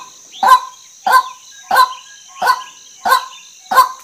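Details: A female white-breasted waterhen repeats six coarse, nasal croaks about two thirds of a second apart, with a steady high-pitched insect drone behind.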